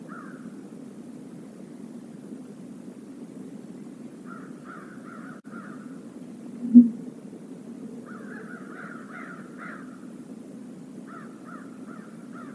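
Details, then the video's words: A murder of crows visiting a stream area, caws in bursts near the start, at about four seconds and a denser overlapping series from eight seconds, with a soft knock midway and low water hum. "A murder of crows visits the stream area"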